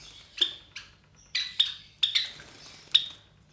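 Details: High, clipped chirps from three caged Java sparrow chicks about 23 days old, offspring of white Java sparrows, come singly and in pairs, about six in under four seconds, over a quiet background.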